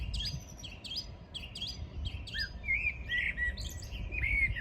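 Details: Morning song on 14 June 2022: a bird repeats a sharp high chirped figure about every half second, then clear whistled notes follow, over a faint low hum.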